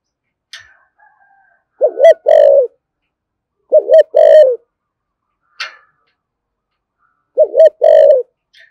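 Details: Spotted dove, thổ sấm style, giving thúc gù and calling coos: three strong low phrases, each a fast dipping double note and a steady drawn coo, with brief sharp clicks between phrases.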